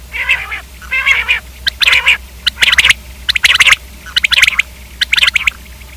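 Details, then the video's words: Common quail making nasal, mewing harmonic notes roughly every second, mixed with clusters of sharp clipped notes. "Quail k hobsort awaz|Quail/Batair|Batairawaz"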